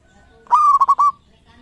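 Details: One clear phrase from a champion local zebra dove: a bright coo that rises sharply, holds level, and breaks into three rapid throbbing pulses before fading, over a quiet background.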